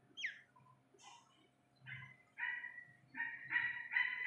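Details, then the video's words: Young Iranian partridge giving a thin upslurred squeak, then a pause, then grating nasal call notes building into quick repeated bursts over a faint low hum. "ایرانی تیتر کے بچے کی اصلی آواز"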